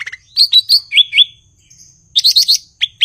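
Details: Blue-winged leafbird in lively song: looping slurred whistles, a pair of wavy rolling notes, a short pause, then a fast buzzy trilled burst and two final upslurred whistles.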